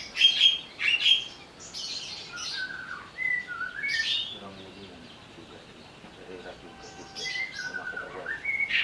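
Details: Provoked, agitated greater green leafbird delivering harsh bursts and clear whistles, then a quieter stretch with faint low sounds before renewed scratchy notes and whistles.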